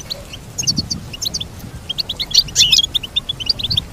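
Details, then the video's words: A goldfinch sings a fast, tinkling twitter of short high notes in quick bursts, with a brighter, busier flourish midway, over a faint low background rumble. "Teach your goldfinch to sing beautiful motivational songs"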